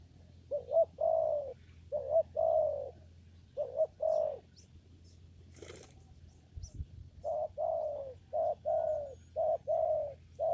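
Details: Low, rounded coos from a spotted dove in a papaya garden during lure trapping, short-long pairs repeated in two bursts separated by a pause with a sharp click and a rustle.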